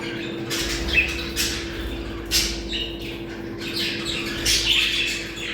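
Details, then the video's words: Budgerigars chattering in a recording played to bring birds into breeding condition: separate bursts of scratchy warbling and squawks rising and falling, a few clearer chirps, with a low hum and muffled low knocks beneath. "Muhabbet kuşu kızıştırma sesi. Muhabbet kuşu çiftleşme sesi"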